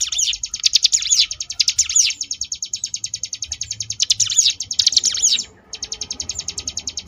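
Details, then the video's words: A Sunda bush warbler (mountain ciblek) gives a fast, high, buzzy churring "ngebrem" variation of rapidly pulsed notes, sustained with a brief pause near the end, used as a training recording for contest birds; faint low rumble underneath. "cigun ngebrem variasi"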